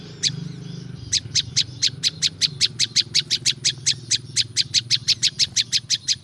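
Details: Olive-backed prinia sound, natural recording suited to trapping wild birds: a long fast series of piercing high chips, about three per second then quickening, over a low rumbling background.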